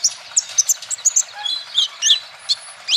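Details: A male olive-backed sunbird sings to draw other birds into song: busy sequence of high, thin twitters and sharp squeaky chirps with a few lower slurred notes, fast and uneven in rhythm.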